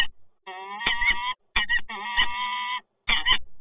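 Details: In Toruń on 26 August 2022, resident peregrine falcons meet with long, rich, whining calls, three extended notes almost a second each, separated by brief gaps, plus low background rumble.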